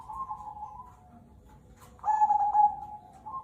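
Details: Active cemani kolbuntet zebra dove: soft cooing, a brief click, then a loud vibrating trilled phrase sliding slightly lower before a quieter coo resumes.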